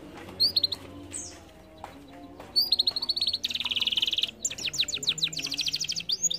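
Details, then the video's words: Canary singing as a prompt for a quiet canary: scattered high chips, then a buzzy rolling trill and a fast run of sharp, repeated downswept notes, with faint background hum. "PANCING KENARI MALAS BUNYI DENGAN INI"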